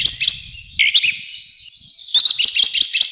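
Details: Orange-headed thrush singing loudly, a rough, intense training song: short bursts of harsh, buzzy notes high in pitch, a brief pause, then a longer run of rapid scratchy phrases mixed with sharp whistles.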